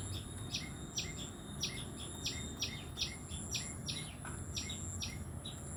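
Tailorbird chirping: sharp, high notes repeated about twice a second, each with a quick downward flick, over a steady low background hiss.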